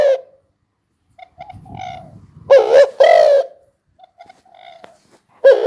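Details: Spotted dove producing one full double-noted coo phrase mid-clip, framed by the tail and start of other coos and soft, low murmuring notes.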